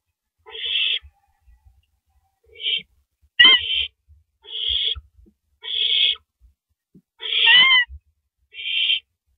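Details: At night on April 6, 2012, a male owl brings a rabbit to the nest. Seven rasping, hissy screeches sound at uneven intervals, and one carries a thin whistled overtone, with faint low thumps in the background.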